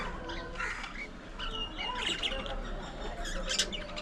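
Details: Budgerigar colony in an aviary: scratchy squawks and high whistled chirps from several birds, loosely spaced, over a steady low rumble.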